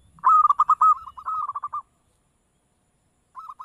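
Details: Zebra dove (perkutut) gives a rapid rolling series of short coos that starts loud and fades over about one and a half seconds. After a silence, a brief softer burst of the same notes follows.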